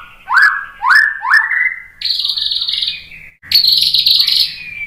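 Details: White-rumped shama song meant to draw other shamas into song: three rising whistled upslurs in quick succession, then sustained buzzy high trills and a final falling whistle.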